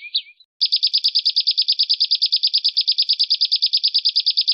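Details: Bird song in the harsh 'besetan kasar' style, a training recording for home and contest songbirds. A short wavering whistle is followed by a pause, then a rapid, even run of buzzy high notes, roughly eight per second.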